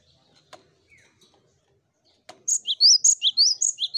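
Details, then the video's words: Cinereous tit song for luring birds to sing: after near silence and two faint taps, a loud, fast string of high, repeated chirped note pairs begins and carries on to the end. "Burung Gelatik Batu Pancing Ombyokan Agar Cepat Bunyi l Zeer melodieuze zang van de Mees (vogel)"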